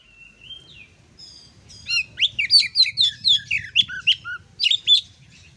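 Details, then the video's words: Oriental magpie-robin master song to train kacer not yet singing fully: a thin sustained whistle, then quickening sequence of sharp, slurred chirps and lower downward-bending notes, about four per second, with faint low background hum. "pancingan kacer/ masteran kacer, yang suaranya belum ngepplong"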